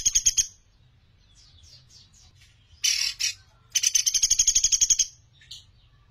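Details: Sunda pygmy woodpecker, clear master recording for training songbirds: a short trill, soft falling high notes, a harsh burst, then a long fast, buzzy pulsed trill and one last high note.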